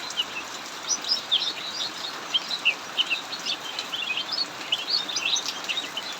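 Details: In a backyard aviary under heavy rain, a cucak mini keeps up continuous song: bright, clipped chirps and brief trills in dense bursts, set against constant loud rain hiss.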